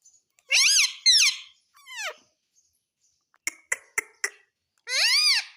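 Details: Captive talking parrot copying words such as mummy and papa; two loud squeaky syllables, then a softer falling one, a few sharp clicks, and a final drawn-out wavering word.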